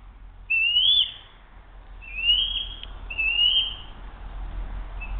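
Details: Eagle at a nest camera on 07-02-2023 around 12:10, calling during a brief tussle as one young eagle tries to steal food from another, which keeps it. Three high, thin, whistled notes, each slightly rising then falling, spaced about a second apart.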